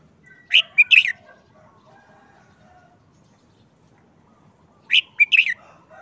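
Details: Caged red-whiskered bulbul after a month-plus moult under a cover, now quiet and listless, repeats a short, easy song phrase twice, each a quick run of about four bright, warbling notes, about four seconds apart, over faint birds behind.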